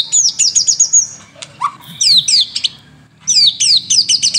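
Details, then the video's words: White-rumped shama in vigorous morning-and-evening song, a training lure track: bursts of rapid, high, downslurred whistled notes repeated about four per second, broken by short pauses and a lower slurred note, with faint low hum beneath. "PANCINGAN Murai Batu Gacor pagi dan sore hari"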